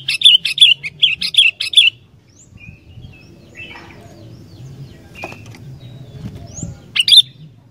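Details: Sooty-headed bulbul singing vigorously: a quick burst of five or six loud, bright chirping notes with sharp downward flicks over two seconds, then near-silence with faint distant chirps before one more loud note at the end.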